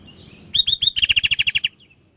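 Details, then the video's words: Sooty-headed bulbul in full song: a trio of ringing slurred whistles followed by a fast rattle-like series of about ten short chirps, then a faint trailing note and quiet. "BURUNG KUTILANG GACOR"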